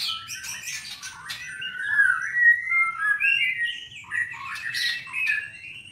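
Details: Caged white-rumped shama in Indonesia, albino or blorok in colour, pouring out a lively, continuous medley of whistles, chirps and quick slurred notes, with low faint noise behind.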